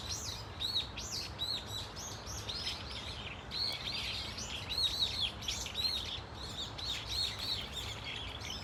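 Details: Many Brown-eared Bulbuls in a flock at Dunsan Grand Park keep up a continuous chatter of shrill, arched squeals and screeches, overlapping thickly from start to finish.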